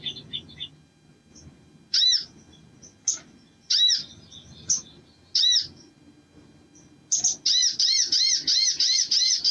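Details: Crimson sunbird: scattered sharp high chirps about a second apart, then a fast run of arched, squeaky, buzzy notes at the end; a faint low hum runs beneath.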